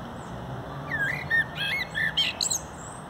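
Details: Common blackbird singing in a park in mid-April from the roof of a visitors' gazebo during the spring breeding season. Mellow whistled phrases slide up and down, followed by a brief high twittering flourish, over a low background hum.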